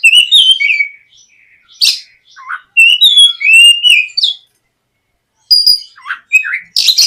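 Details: Morning lure song of a White-rumped shama, played to encourage a young bird to sing: varied fluty whistles, buzzy notes and sharp chips delivered in rapid mixed phrases with a short silent pause.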